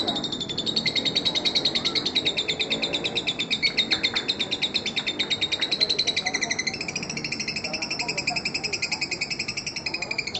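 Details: Lovebird of the fighter type giving a long ngekek laughing call, used as a lure for baby lovebirds: a rapid, steady string of harsh, buzzy chattering notes, about three to four per second, running unbroken for ten seconds.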